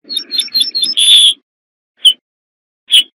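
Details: Corn bunting singing a quick run of thin ticking notes that speeds into a bright, buzzy, glassy jangle, followed by two isolated sharp clicks after silence.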